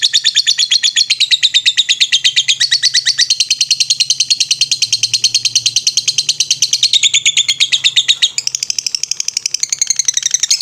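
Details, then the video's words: Lovebird in ngetrek song, recorded as a master for training birds: a continuous high, rapid chattering trill of tightly repeated notes that shifts pitch several times, with a faint low hum underneath. "MASTERAN LOVE BIRD NGETREK"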